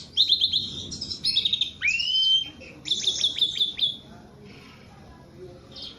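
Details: Javan pied starling, very tame and vocal, giving bursts of trilled high chirps, one long rising slurred whistle, then more rapid chirps before quieter pauses.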